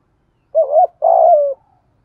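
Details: Single phrase from a spotted dove cooing in thổ and thúc styles, for training lazy wild-caught decoys: a wavering double-humped note followed by a longer, buzzy, gently falling coo in quiet surroundings.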